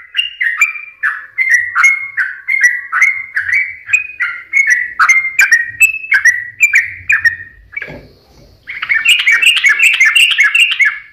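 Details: Sooty-headed bulbul giving lively song that serves as a lure to make other birds sing: evenly repeated short whistled phrases for several seconds, a brief gap, then a quicker, higher twittering run.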